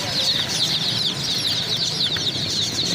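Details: Many chicks chirping together in a dense, continuous chorus of high, rapid peeps, with faint lower clucks underneath.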